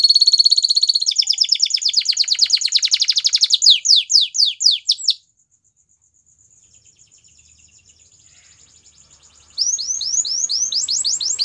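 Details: Belgian canary singing, played to make other canaries sing again: rapid high rolling trills and a series of downward sweeps, a quiet pause of several seconds, then fresh sweeping notes resume.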